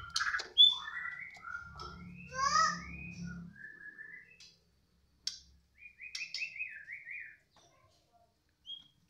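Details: Caged white-rumped shama singing a 'balak 6 bunyi' style song as its cage cover is opened: scattered clear whistles, rising and falling notes and short warbles, a quiet gap, then a trilled rattling phrase, over faint low rumbling.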